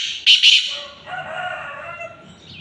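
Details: Black francolin (kala teetar) calling: two sharp, harsh high notes in quick succession, then a fainter, lower drawn-out grating tail fading over about two seconds.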